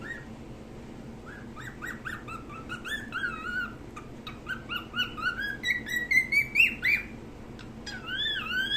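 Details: A hand-tame pet cockatiel perched on a hand sings a string of clear, rising and falling whistles, quickening into a lively warbling run.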